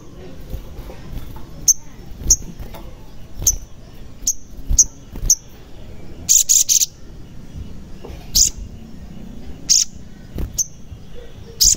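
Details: Sogon song played to prompt silent or reluctant birds to sing: a series of short, very high chips repeated roughly every half second to second, broken by a brief rapid trill and later isolated sharp notes.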